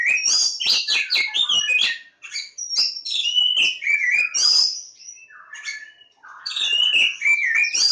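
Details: Oriental magpie-robin, Javan form, at Lebakgowah with a dense, energetic song of ringing whistles, sharp chips and downward slurs, broken by a quieter stretch before resuming loudly.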